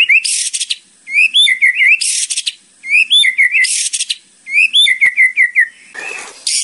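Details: Training song of the white-rumped shama or murai batu: a phrase of clear rising whistles followed by quick falling notes and a harsh buzz, repeated three times about every 1.7 seconds, ending in a noisy rasp.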